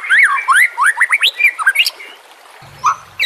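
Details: Captive-training song of a white-rumped shama (murai batu), used to provoke and train birds: rich, varied whistled phrases, rising and falling swiftly, in quick succession, then a brief pause before a final note.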